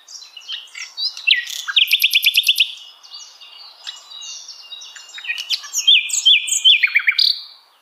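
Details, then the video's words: At dusk a Sikatan Londo flycatcher sings brightly, mixing high squeaky chirps with fast, regularly pulsed trills, a softer mid-section of scattered notes, then another burst of clear whistles and rapid trilling. "Suara Alam Kicauan Riang Burung Sikatan Londo di Senja"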